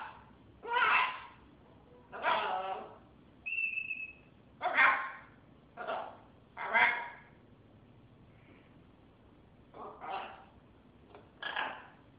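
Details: A talking pet military macaw gives about eight harsh, raspy squawks, spaced one to two seconds apart, with one short clear whistle partway through.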